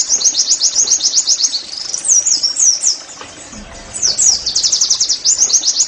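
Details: Oriental white-eye 'nembak' song, used as therapy to make other white-eyes sing. Rapid high pulsed trills, then swooping twittered phrases and a brief lull before the fast chatter resumes.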